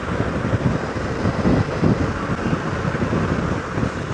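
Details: Steady rumbling wind against the microphone and vehicle noise during an early-morning safari drive, with no animal calls heard.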